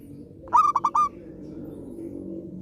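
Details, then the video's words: Zebra dove, a keen singer used to restart song in silent doves, gives one rolling phrase: a quick run of four choppy coos ending on a held note, followed by steady low background noise. "perkutut gacor rajin manggung"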